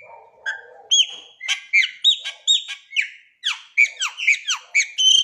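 A Chopi blackbird sings a lively run of clear whistles and sharp downslurred notes, several per second, bright and ringing, with a short nasal phrase at the start.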